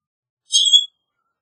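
A common grackle gives one brief, high, squeaky creak lasting under half a second, like a rusty hinge, with silence around it.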